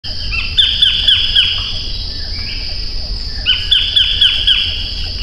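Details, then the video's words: White-collared kingfisher calling: two runs of sharp, ringing, downslurred notes repeated about four per second, a short pause between them, over a steady high insect drone and low rumbling background. "白領翡翠/White-collared Kingfisher(Todirhamphus shloris)call"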